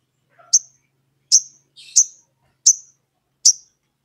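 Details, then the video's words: Sogon, a lively singing bird calling a rival to provoke another sogon into singing; five sharp, high chirps spaced about 0.8 seconds apart, with a faint softer note before the first, in an otherwise quiet background. "SOGON GACOR MEMANGGIL LAWAN"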